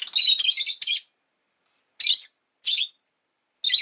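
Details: Pet rosy-faced lovebird chirping; shrill, buzzy high chirps in a rapid run of three, then single sharp chirps spaced about half a second to a second apart, with nothing else heard between.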